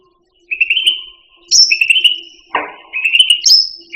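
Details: Cucak rante, a kept songbird, recorded as training material for other pet birds: clear whistled trills held on one pitch, broken by brief higher piping notes and one lower rasping burst, in a quiet background.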